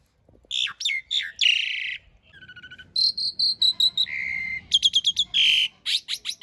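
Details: Asian pied starling master song, long rough-filled rolling style, used to train cage birds: a varied run of harsh buzzy bursts, clear ringing whistles, nasal notes and rapid clicking stutters, loud and continuous with short gaps.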